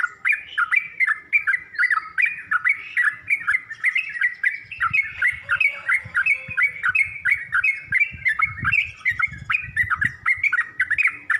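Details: Yellow-vented bulbul chattering in a training recording for other bulbuls learning to sing. Lively, gurgling, mid-pitched notes repeat in quick succession throughout, over soft low rumbling and knocking in the background.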